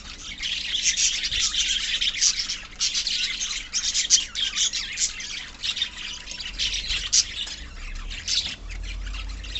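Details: Budgerigar colony in full voice: harsh, buzzy squawks and chirps stacked densely, pulsing in short bursts throughout.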